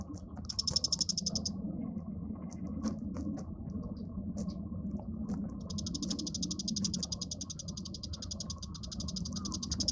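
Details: Bull-headed shrike uttering a brief high rattling chatter. Several seconds of sparse clicks follow, then a longer rapid series of sharp, high notes running to the end over steady low background noise.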